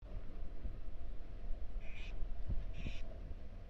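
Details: Barn owl nestlings inside a nest box at the University of Florida, being fed tiny bits of prey by parents in their first days after hatching; two short hissing bursts near the two- and three-second marks over steady low rumbling hum.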